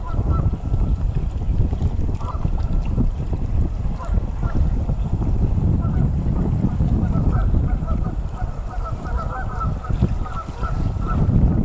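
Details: Canada geese on Travis McNatt Lake, Big Hill Pond State Park, on February 3, 2018 give scattered nasal honks from a loose flock, partly buried under a steady low rumble of wind.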